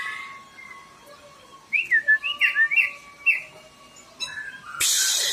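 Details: Caged oriental magpie-robin kept as a reluctant singer, a run of about six quick rich whistled notes after a quiet start, then a brief phrase and a loud harsh burst at the end.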